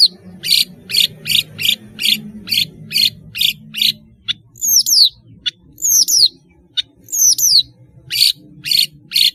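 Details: Long-tailed shrike singing actively: a steady run of harsh scratchy notes about three per second, followed by paired high whistles sliding down in pitch, then the rasping notes return.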